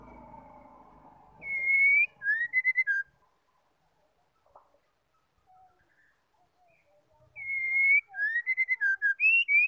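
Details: Female white-rumped shama calling to stimulate males to sing: the same whistled phrase twice, a long even whistle and then rapid short notes, separated by several seconds of near silence with a faint click.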